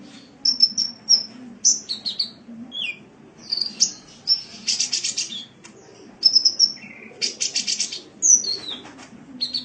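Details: Sunbird singing on a cage-bird training recording from Indonesia: rapid high chirps, sliding whistles and dense buzzy rattles come in quick bursts, with softer descending notes and a low hum underneath.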